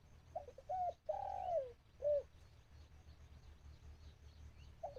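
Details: A decoy dove used to lure wild birds gives a cooing phrase of short notes, a long sliding coo and a crisp closing coo. Quieter background follows, and another phrase starts at the end.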